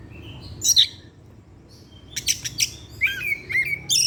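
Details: Caged Oriental magpie-robin (kacer) in evening song: a brief shrill note, a pause, then clustered harsh chips and slurred whistled notes toward the end.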